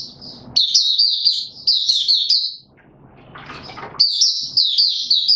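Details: White-eye in a cage, pushed on form, giving high, rapid sweet warbling phrases with slurred twitters, a pause filled with low murmuring noise, then the song resumes.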